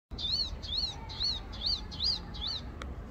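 A Palestine sunbird gives six high, thin arched chips, rising then falling, about two or three per second, over a low background rumble.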